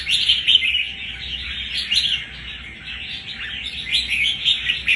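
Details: Captive red-whiskered bulbul, caught wild one month before, showing a tough, combative temperament; rapid chirping and squeaky warbles, loudest at the start, easing mid-way, then picking up again.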